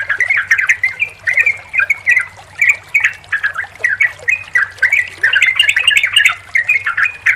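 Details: Sooty-headed bulbul sounds played as therapy for a bulbul that stopped singing: steady bouts of chattering, gurgling notes in uneven clusters with short pauses, and a low background hum.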